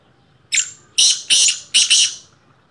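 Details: Black francolin in its first season calling: a harsh, rasping phrase of one short note followed by two grating notes and a doubled final burst, all within two seconds, in quiet surroundings.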